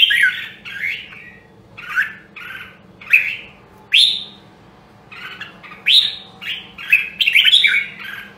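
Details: Voice-training song of a red-whiskered bulbul from Nam Đông, Huế, meant to spur competitive singing. Many short, bright, downslurred whistles and warbles arrive roughly every half second, ending in a fuller chattering run. A soft hum runs underneath.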